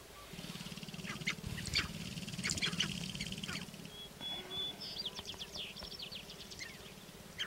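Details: Lek of sharp-tailed grouse in Northern Wisconsin, recorded 29 April 2021. A rapid low rattle with sharp chirps and cackles continues throughout; a thin whistle and a series of high slurred notes follow near the end.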